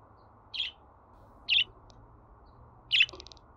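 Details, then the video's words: Pet budgerigar sounds, played so that a pet bird will sing: three short, bright, buzzy chirps spaced about a second apart, the last trailing into faint rapid ticking, over a quiet low hum. "Muhabbet Kuşu Sesi"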